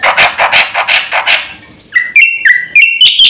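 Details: Black-winged myna (jalak putih), gacor full-content song said to inflame other birds. Harsh, broad rasping notes repeated evenly, then a pause and a sequence of clear whistled notes and sharp chips.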